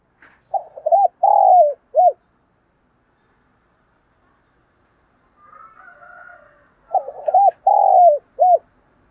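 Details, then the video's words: Decoy spotted dove calling to attract wild doves: two mellow cooing phrases, stuttering start, long falling coo, short end, with a faint higher murmuring sound in the gap between. "cu gáy mồi cây gáy gọi giọng chuẩn hay"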